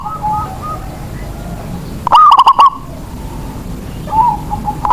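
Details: Local zebra dove used as a lure to encourage other doves to sing: soft distant cooing, one loud, rapid phrase of hollow stuttered notes, then more gentle coos and the start of another loud note.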